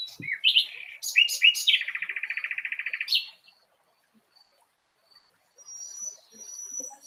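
Nightingale song: a few varied whistled and chirped notes, then a fast, rich trill of about fifteen notes a second, ending abruptly before quiet.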